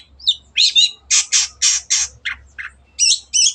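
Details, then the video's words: Rough squawking gacor song of a long-tailed shrike (cendet): a row of loud harsh, grating notes about a quarter second apart, closing with two squeaky doubled chirps. "MASTERAN BURUNG CENDET GACOR JADIKAN BURUNG KESAYANGAN ANDA SEMAKIN GACOR DENGAN SUARA JERNIH"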